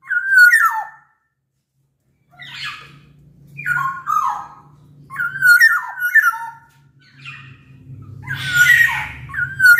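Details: Captive Sumbawa black-naped oriole, an energetic singer whose voice serves as a training lure for orioles reluctant to sing: a run of short, liquid whistled phrases with down-slurred, harsh-tinged ends, repeated every second or so over a faint low hum.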